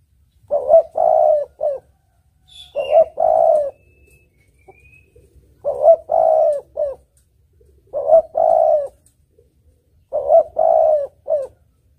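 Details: Tekukur or spotted dove giving its melodious lure song: five low cooing phrases, each of two or three hollow notes with a longer middle coo, repeated about every two seconds against a quiet background.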